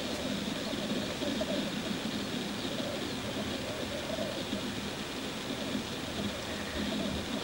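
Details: Male black grouse in courtship display, a continuous low bubbling and cooing rumble in steady pulses throughout, with faint distant high bird notes in the background.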